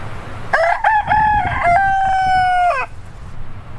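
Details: A rooster sounds one long crow with a brief broken opening, then a steady tone held for about two seconds, ending in a downward slide. Quiet background follows.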